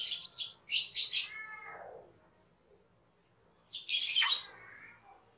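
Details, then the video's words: Cucak keling kept as a cage bird, recorded as a training master. Loud raspy bursts and a descending whistled slur, then silence and a final harsh, grating phrase. "SUARA MASTERAN CUCAK KELING/KERLING"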